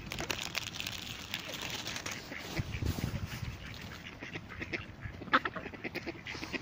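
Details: A flock of geese, ducks and swans eating maize in Isla Dos Aguas park, Palencia, makes a dense mix of quacks, short honks and dabbling clicks, with splashing water throughout.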